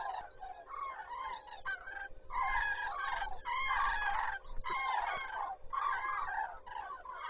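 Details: Common cranes at Zastawie reservoir on 14 September 2023 starting the day with loud, rolling trumpet calls in overlapping bursts about a second long, many birds together with short pauses between.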